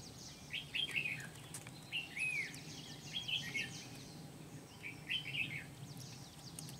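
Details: Trapping decoy red-whiskered bulbul at Kim Bôi, 8 September 2019, repeating short jaunty whistled phrases about every one to two seconds, four clear bursts, amid steady hiss and low rumble.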